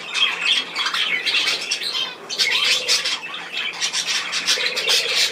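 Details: Group of budgerigars filmed 10 June 2024 giving rapid squeaky warbles and sharp squawks, the chatter briefly thinning around the middle before surging back, dense and overlapping.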